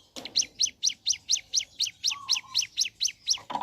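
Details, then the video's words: Hill prinia (ciblek gunung) singing in the morning: a fast series of about a dozen high, sharply descending chirps, evenly repeated roughly four per second, with a brief lower flat whistle underneath. "Suara Asli Ciblek Gunung Gacor Pagi Hari"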